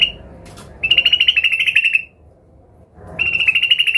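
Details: Fast, chattering trills from an agitated sooty-headed bulbul seeking a rival, two bursts separated by a short pause, over faint background noise.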